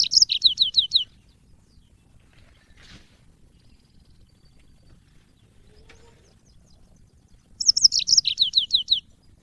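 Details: Yellow-fronted canary from Africa, used as master audio for cage birds: a fast string of high, repeated slurred chirps, a long near-silent gap with a faint click, then another quick bright chirping sequence.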